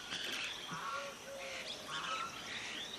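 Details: A juvenile white-throated laughingthrush being fed gives begging calls: a busy, overlapping chatter of harsh, high squeaks and short whistled notes, with several birds calling at once.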